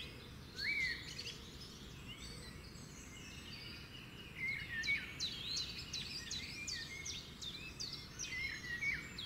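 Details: Birds singing naturally, with many high chirps and short twittering notes repeated over steady, loud background noise.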